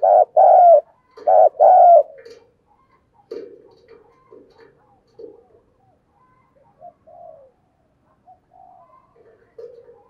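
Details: Decoy spotted dove used to lure wild doves, giving a few loud low coos in the first two seconds, then only faint scattered soft notes and quiet ticking sounds.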